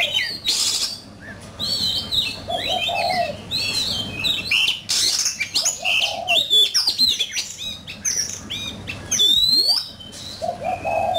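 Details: Oriental magpie-robin singing in a song competition, the bird in fine form and singing hotly: varied whistled phrases, sweeps and chirps, mostly high, with short bursts, a low hum underneath and other birds' notes mixed in.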